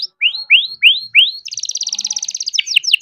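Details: Young farm-bred canary singing: four rising whistled slurs, then a rapid rolling trill and a few sharp falling notes.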